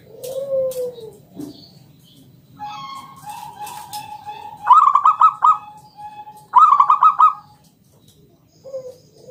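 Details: Loud local zebra dove in ngalun style with a round 'kung' note, meant to draw other doves into song: a low falling coo opens, then a steady tone and two bright stuttering trills about two seconds apart, ending in a brief coo.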